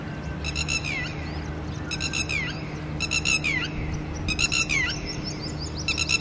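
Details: With chicks to look after early in the morning, a red-wattled lapwing pair reacts to a person's presence with repeated strident alarm phrases, quick stuttered notes then a falling slur, roughly every second, over low hum.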